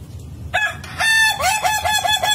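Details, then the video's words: Melodious crow of an ayam ketawa, the laughing chicken: a loud opening note, then a broken, stuttering chain of short rising syllables like rhythmic laughter. "Ayam Ketawa Bersuara Merdu"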